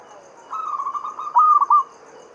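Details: Zebra dove, local Javanese bird, singing the Mataram standard rhythm as a lure to make other doves call. A brief rolling trill runs straight into a loud three-note coo, over faint steady ticking.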